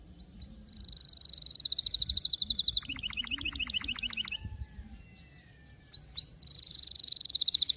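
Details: Canary song with varied tours. Upward whistles lead into a high buzzy roll, then a lower rapid pulsed trill. After a quiet gap with soft notes, the high buzzing roll returns. A faint low hum sits underneath.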